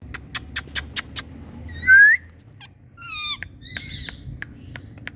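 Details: Indian ringneck parrots calling: a loud, clear rising whistled screech near the middle, then a few stacked, wavering squawks, with sharp clicks and taps at the start and a low room hum underneath.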